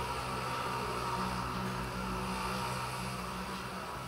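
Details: Steady low mechanical hum with broadband hiss and a faint tone, like an engine or fan indoors, with no animal calls heard.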